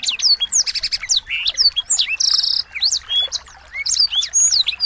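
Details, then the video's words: Small songbirds give a busy, overlapping jumble of high fast chirps, whistled slurs and rattling trills almost without pause; a training recording played to stimulate white-rumped shamas (murai batu) to sing and become agitated. "masteran burung kecil"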